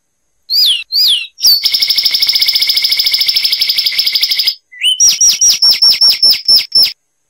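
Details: Zapata wren singing in Cuba: two sweeping whistled notes, a metallic buzzy trill held about three seconds, then a rapid series of sharp down-slurred notes, high and clear.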